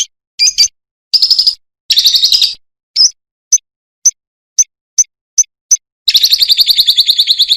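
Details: Lovebird training audio intended to make a bird reply within five seconds: scattered shrill squeaks and short chattering bursts, a run of evenly spaced sharp chips, then a loud rapid buzzy trill.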